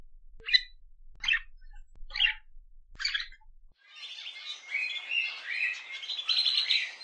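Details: Budgerigars kept as pets: four short separate chirps about a second apart, then a continuous rippling warble of trilled and whistled notes.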